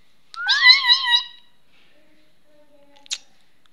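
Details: Talking Indian ringneck parrot making a wavering, meow-like drawn-out tone, followed by quiet and a short sharp click.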